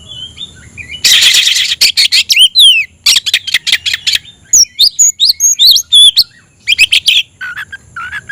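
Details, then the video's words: Oriental magpie-robin singing energetically with spread tail to call a rival to fight: harsh rasping bursts mixed with sweet, sliding whistled notes and varied chirps in a rich, fast medley. "kicau burung KACER‼️gacor buka ekor dongkrak emosi panggil lawan tarung"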